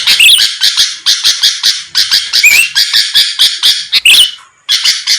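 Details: Sooty-headed bulbul in vigorous song, used to make rivals respond fast: harsh buzzy chatter with wavering high whistles woven through, ending after a short gap near 4.5 seconds.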